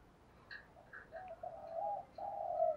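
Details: Spotted doves, male and female, calling to stir up birds kept for training, with soft low cooing phrases that swell into longer drawn-out coos, plus a few faint higher chirps, over a quiet background.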